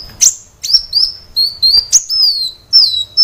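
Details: High-pitched sunbird song from a training recording for caged birds: sharp chips and thin whistled notes that slide downward, given in an irregular run.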